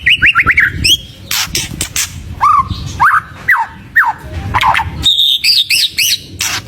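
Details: White-rumped shama in full, varied song, used to stir other birds into singing: slurred whistled notes in quick runs, rising and falling phrases, interrupted by loud harsh broadband bursts and a low background rumble.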